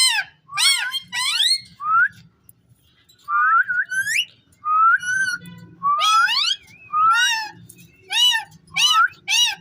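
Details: Caged Indian ringneck parrot, described as talking, giving a run of clear whistled notes that sweep up and down, mixed with harsher harmonic squawk-like calls in quick bursts, with short pauses between them in a small indoor room.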